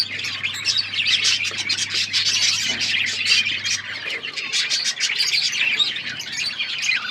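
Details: Several budgerigars on October 31, 2023 chatter continuously in a dense, scratchy warble of overlapping high chirps and twitters, with a faint low hum in the first few seconds.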